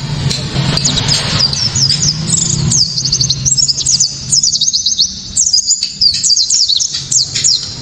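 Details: White-eye (pleci kaca mata) 'tembakan', a hard, piercing, clear song meant to draw rival white-eyes into singing and used in training songbirds: rapid strings of high downslurred chips in several bursts, with a low rumble at the start.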